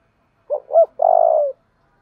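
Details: Spotted dove cooing to train newly caught birds: a short low hoot, a rising-falling second note, then a sustained vibrating coo of about half a second, in quiet surroundings.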